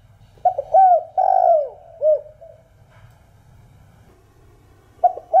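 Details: Spotted dove (cu đất) cooing in the thổ đồng voice style, a calling and stimulating song: a few short hooting notes, then a long drawn coo falling at the end, a soft tail note, and a fresh phrase starting after a pause.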